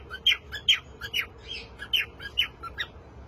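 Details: Cockatiel singing: a quick, uneven series of short chirps and squawky notes, roughly two or three per second, over a steady low hum of room noise.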